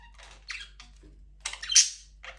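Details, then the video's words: Aviary budgerigars, breeding begun with the first chick: short scratchy chirps, then a loud harsh squawk rising to a shrill peak before a last brief note. "First budgies chick 🐣 in #aviary #birds chirping sound"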